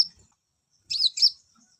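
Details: Olive-backed sunbird song, played to bring males into breeding condition: a brief burst of high, sharp, twittering notes with quick upward and downward sweeps, after a short high chip and a pause of silence.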